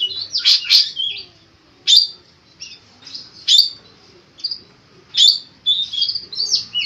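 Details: Long-tailed shrike in full song, packed with mimicked phrases and meant as a tutor recording: sharp high chirps and short buzzy slurs come in separate bursts about a second apart, with brief quiet gaps.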